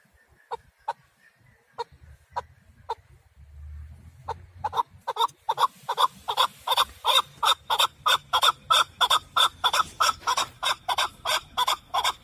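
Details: Calling male partridge, used for hunting: a few spaced, sharp clicks at first, then a rapid, accelerating series of loud, harsh chuk notes that keeps going steadily to the end.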